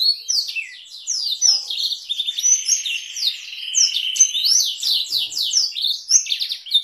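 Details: Canary song with Blackthroat-style variations, used as a long tutoring recording for canaries and White-rumped Shamas: a dense, fast jumble of high twittering and chirping notes, with a sustained buzzy trill running through the middle.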